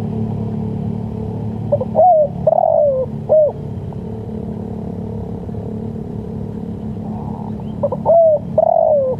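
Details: Cooing of a spotted dove, used for luring and teaching birds: two phrases of mellow low notes, a quick pair, a drawn-out descending coo and a short closing note, set against a continuous low hum.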